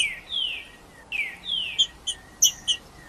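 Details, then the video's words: Song of a green-winged saltator for warming up a silent bird: two long, gliding downward whistles, each followed by a shorter slur, then four sharp high chips spaced about a third of a second apart. "TRINCA FERRO CANTANDO PARA ESQUENTAR TRINCA FERRO FRIO"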